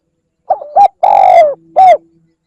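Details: Spotted dove call for luring birds, one full phrase of two brief coos, a drawn-out downward-sliding coo and a short firm closing coo.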